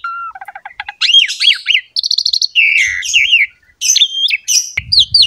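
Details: Asian pied starling, a captive bird, in a master recording meant to prompt quiet birds to sing: varied whistled phrases, a low steady whistle, rapid stuttered notes, rising and falling slurs and buzzy bursts.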